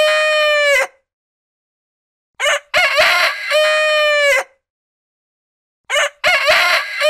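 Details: Domestic rooster on a farm crowing: a loud, harmonic cock-a-doodle-doo with a stuttering start and a long held final note. The clip holds the tail of one crow, then one full crow, then the start of another, with silent gaps between.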